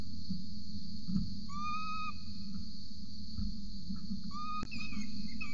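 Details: Peregrine falcon nest scene in Orange, Australia, 8:07 am, 26 November 2020, adult feeding a chick: two plaintive, level whistled whines, the second after a sharp knock, against heavy electrical hum.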